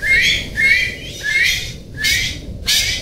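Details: Golden pheasant uttering five close harsh calls in three seconds, the earlier ones with a clear rising squeal leading into a rough, broad rasp.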